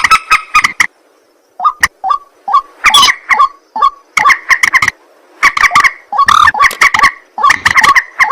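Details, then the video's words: White-breasted waterhen at night: a burst of harsh croaks, then a pause, then single upslurred nasal notes that build back into rapid, overlapping grating calls. "ruak ruak mandar batu mp3 2 suara burung malam hari"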